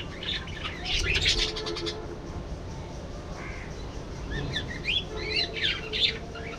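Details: Budgerigars chirping in a series of rapid, high, warbling chirps and short squawks, with a dense burst near the start, a brief pause, then more scratchy twittering toward the end over a low background hum.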